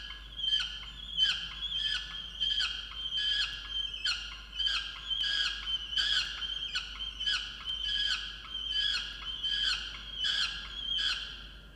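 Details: Angry peregrine falcon in a water-tower nest box, Orange, New South Wales, 8 November 2022, calling at its mate about missing breakfast; rhythmic series of harsh, pulsed cries repeated roughly every 0.7 seconds, steady and insistent.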